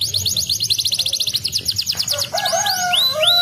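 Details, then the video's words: Canary song used to encourage reluctant canaries to sing: a fast buzzy trill of repeated notes, followed by lower sustained whistled tones and rising arched notes. "Estimule rapidamente o som do chilrear dos canários preguiçosos!"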